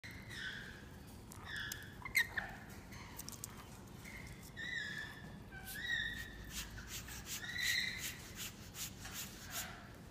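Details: Captive Edwards's lorikeets, kept alongside Swainson's lorikeets, give harsh, screechy calls in short bursts, several birds overlapping over a steady background hiss.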